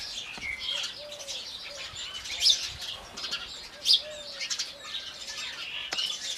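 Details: Several Indian house sparrows in the morning giving quick, sharp chirps in irregular bursts, with a few faint dove coos in the background.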